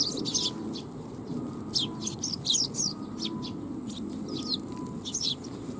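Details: Eurasian tree sparrows come for food at a Tenmangu shrine, 12 July 2021, chattering with many quick, high, overlapping chirps in uneven bursts above a low ambient rumble.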